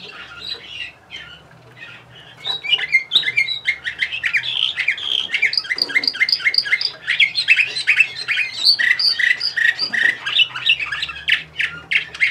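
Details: Bulgarian canary from Sofia, Bulgaria, of the Orpheus 2020 line, singing indoors: a dense, fast run of chirps, trills and short warbled phrases, mostly high-pitched, starting quietly and growing louder and busier after about two seconds, with low room hum beneath.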